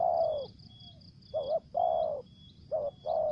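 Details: Spotted dove kept as a lure, calling in thổ dế, kèm dập and mai rừng styles. A long falling coo, then alternating short double coos and drawn-out coos, loud and close, over a faint high insect whine.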